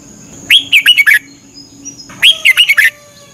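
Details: Red-whiskered bulbul in Thailand, morning training song meant to teach birds to sing; two matching phrases, each a rising whistle followed by four fast warbling notes, about 1.7 seconds apart, constant thin tone in background.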